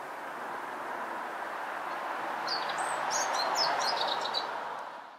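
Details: A male Eurasian blackcap singing in Rombergpark botanical garden on 1 July 2012 gives a brief, quick run of varied high warbled notes over a steady rush of distant traffic noise.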